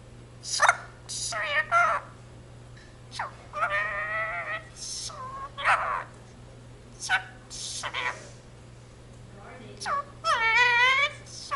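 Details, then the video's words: Pet Indian ringneck parakeet kept in a home, speaking the Punjabi phrase "jo bole so nihaal sat sri akal": harsh, raspy word-like bursts with squawky harmonic notes, separated by short pauses, against a low steady hum. "jaikara indian ringneck speaks in punjabi"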